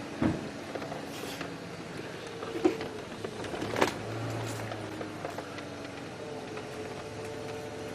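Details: Clicks and knocks over a steady hum and a low engine drone, with no animal calls.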